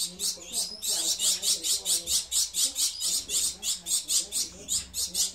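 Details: Bred Gouldian finches chirping continuously: regular, high, thin notes pulsing about three times a second, with a soft low hum in the background.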